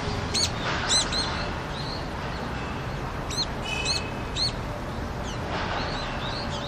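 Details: Brown-eared bulbuls visiting a rooftop in Seoul, Korea, to drink water during a cold winter day in February 2020; sharp, high, harmonic squeaks repeated irregularly, with low urban background hum.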